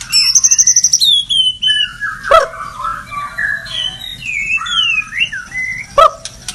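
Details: Energetic murai batu (white-rumped shama) song opening with a fast high trill, then a varied string of slurred whistles rising and falling, punctuated by two sharp loud notes.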